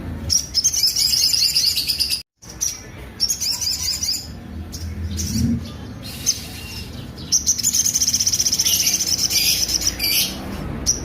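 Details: Sunbird song with rough, prominent notes, used to train other songbirds: bursts of rapid, very high, buzzy trills that start and stop repeatedly. Scattered sharp chirps fall between the bursts, and the sound cuts out briefly early on.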